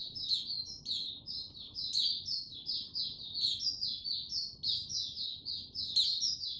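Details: White-eye (Mata Puteh), a kept songbird building confidence to open its song, slow and steady, 6 March 2022: continuous high-pitched twittering, rapid sweeping chirps linked in an unbroken stream, soft low hum behind.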